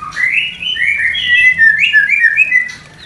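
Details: White-rumped shama mating sound meant to stimulate breeding desire in a newly paired couple not yet producing: a continuous flowing run of clear, fluting whistles rising and dipping in quick succession.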